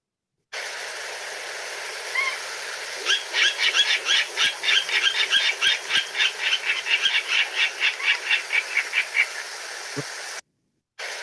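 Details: Virginia Rail, southeast Arizona, November, a bird more often heard than seen. It gives a pig-like grunting run of about two dozen harsh notes, roughly four a second, rising then fading over six seconds against a steady hiss.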